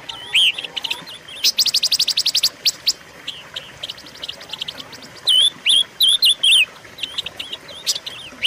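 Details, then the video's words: Silver-eared mesia (pancawarna) singing, recorded as a lure and training piece for caged birds. Bursts of rapid dry chips alternate with clear, bending whistled notes. Groups of three or four whistles repeat near the end. "pancingan dan masteran suara burung pancawarna"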